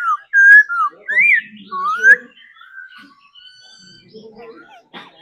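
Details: Laughingthrush trained to sing and dance: about two seconds of strong whistled phrases, a level note, a drop, then upward-curving slurs, fading into quiet, thin notes and soft background sounds.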